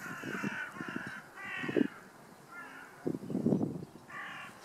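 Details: Hooded crows in a flock circling overhead, where a lookout bird calls a signal every twenty minutes or so before all fly and return: hoarse, harsh caws given in short bursts, with low rumbling thumps and background noise between calls.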